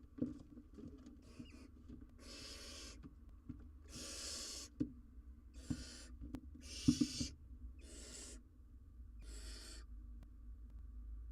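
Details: Wild barn owl owlet on a live cam, trying to eat a very large jird: six harsh, breathy hissing screeches, each under a second, spaced one to two seconds apart, over soft thumps and rustling in the nest.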